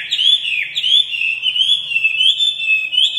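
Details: Red-whiskered bulbul repeating short, liquid whistled notes in quick succession, each a bright upward flick, forming a steady chirpy stream for about three seconds.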